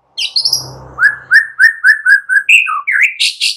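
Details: Young white-rumped shama from the forest, sung to provoke answering birds: a rapid even series of short whistled notes, followed by varied rising and falling phrases and a buzzy high finish; a faint low hum early on.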